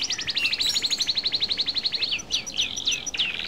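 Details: Rapid, even trill of a European goldfinch, about four notes per second's tenth, closing with a few tinkling, sharply inflected twitters.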